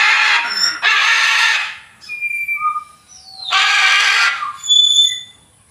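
A macaw gives three loud, harsh, raspy squawks, each about a second long, with thin whistled notes from other birds in the pauses between them.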